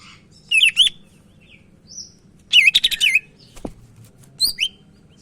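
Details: Energetic Sumatran leafbird from Medan, a song meant to teach other leafbirds: looping, warbled high phrases in three short bursts, the middle one a rapid twisting series, against a faint constant hum.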